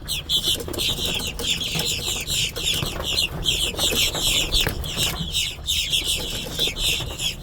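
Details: Giant blackbird flock working a parking lot in Brunswick, Georgia, filmed in March: continuous, dense chorus of harsh squeaky chatters and whistles from many birds, pulsing in waves, with background traffic rumble.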